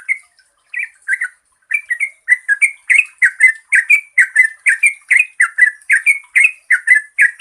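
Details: Yellow-vented bulbul (trucukan) in a long rapid 'gacor ropel' song, used as a lure for reluctant singers: a few scattered notes, then fast bubbly chirps at about two per second building to a steady stream, with a thin high hiss behind.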